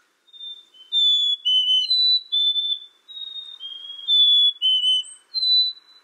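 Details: Black-capped chickadee repeating pure whistled fee-bee phrases, high note then lower note, in a steady string of about eight phrases with no other sounds.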